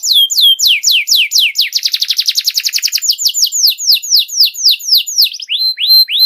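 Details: Song of a canary played to coach young canaries: sharp falling notes, a fast rattling trill, a run of descending sweeps, and finally slower rising whistles.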